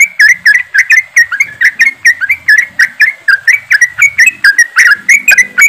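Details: Flock of yellow-vented bulbuls giving ropelan chatter, used as bait to make birds sing fast: an unbroken stream of loud, liquid, slurred notes, roughly four per second, with faint low rumble beneath.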